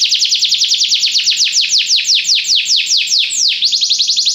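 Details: Belgian canary in song training, delivering a rapid series of bright, high downward-sweeping notes, about six per second, slowing briefly near the end before a quick buzzy burst resumes.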